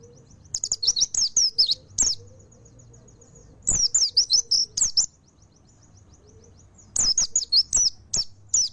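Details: Three strong bursts of fast, sweeping high twitters from a mountain white-eye, each a couple of seconds long with quieter gaps, faint low whistling beneath.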